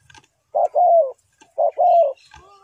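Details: A spotted dove gives two coo phrases, recorded for luring in trapping. Each phrase is a brief soft note followed by a longer, gently falling coo, with faint background chirps.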